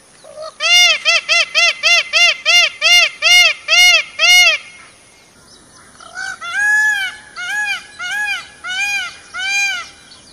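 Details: Peacock roaming through forest gives ten rapid, evenly spaced nasal honks, falls silent briefly, then adds six slower, longer wailing notes.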